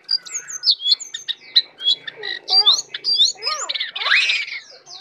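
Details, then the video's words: Tame brown prinia in full song, delivering fast varied phrases of high chirps, upslurred and looping whistles and a harsher rising squeal near the end, almost without pause. "jongkangan jinak dan gacor full isiaan"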